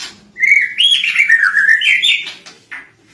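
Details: Lovebird, trained on recorded master birdsong, delivering a cililin-type phrase: one continuous wavering whistle that rises and dips repeatedly, ending with a short soft note.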